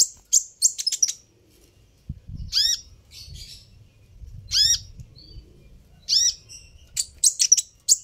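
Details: Sunbird known as kolibri ninja calling to provoke a response: clusters of sharp high chirps with downward-curving notes, repeated roughly every two seconds over soft low background noise.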